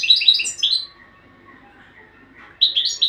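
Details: European goldfinch training song: two bright bursts of fast, tinkling twittered notes, one at the start and one near the end, separated by about two seconds of near silence.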